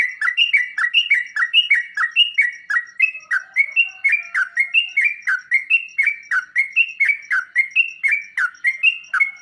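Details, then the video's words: Sooty-headed bulbul song used as a training recording to make caged birds answer and sing: a steady run of short, bright, chattering two-part notes, each dropping in pitch, repeated about twice a second without a break. "Burung trucuk anda bakal nyaut dan ngropel seketika saat di masteri dengan suara trucuk ini"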